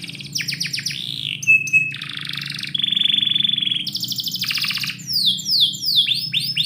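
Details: Canary singing inside a house in the morning, moving through rapid chip series, a level whistled note, a long rattling trill, high buzzy bursts and closing repeated descending sweeps, over a soft low hum.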